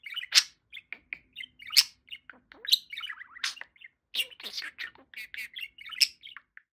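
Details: Pet talking parakeet, a male budgerigar, giving loud sharp chirps between softer mumbled speech-like chatter and warbles, the phrases tumbling irregularly one after another.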